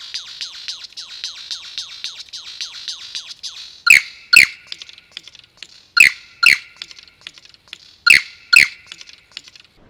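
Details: A lyrebird near its display stage in morning rainforest on the Toolangi Tanglefoot Trail opens with a fast run of high chipping notes, then gives loud, sharp, down-slurred whip-like notes in pairs about every two seconds.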